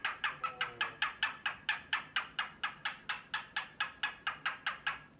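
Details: Male cockatiel courting a female, a grey male displaying to a drowsy white female, giving a rapid clicking 'ka-ka-ka' about twice per second, a steady run of sharp percussive notes.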